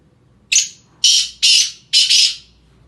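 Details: Sindhi black francolin (kala tetar) calling with four harsh, rasping bursts in quick succession, the first short and the next three longer and grating, over a quiet background.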